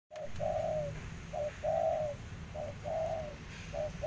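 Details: Spotted dove cooing: three phrases, each a brief low note followed by a longer, smooth, mellow coo, repeated about every 1.2 seconds against a soft background hiss.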